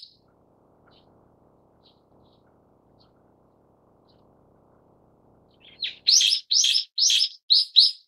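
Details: Brown-eared bulbul (Ixos amaurotis harterti) calls: about six loud, harsh, screechy notes in quick succession after a long near-silent stretch with faint background rumble.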